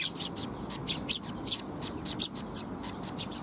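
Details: Sparrows seeking food near a bridge (水上橋), 19 June 2021: rapid high chirps tumbling one after another, several per second, with a low rumbling background.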